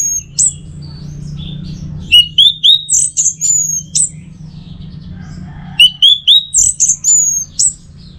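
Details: Orange-headed thrush (anis merah) singing bright, high whistled phrases of quick rising and slurred notes in two rapid bursts over a faint low hum, used as a training and lure song.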